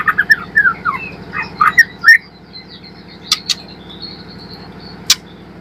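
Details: Young spotted white-rumped shama used as a lure to get birds singing: a burst of varied rising and falling whistled notes, then scattered sharp clicks and a thin high tone, with constant low mechanical droning behind.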